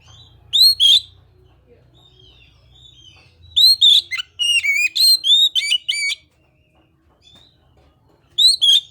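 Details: Kacer song of clear rising whistles and a rapid run of varied whistled notes, separated by quiet pauses, ending with a paired upslurred whistle.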